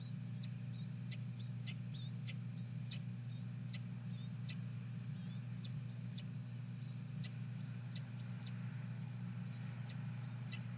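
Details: Female red-tailed hawk at a nest on a Cornell Lab of Ornithology camera, 2 May 2014 at 4:01 pm, calling as her mate brings a nestling Blue Jay as prey. Short, sharp, high notes that slur downward, repeated steadily about every half second over a constant low hum.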